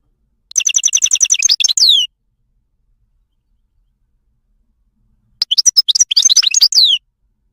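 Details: Song of a wild goldfinch from Morocco, opening with a fast trilled run of repeated high notes ending in a downslurred whistle, then silence, then a second jumbled twittering phrase closing with another falling note.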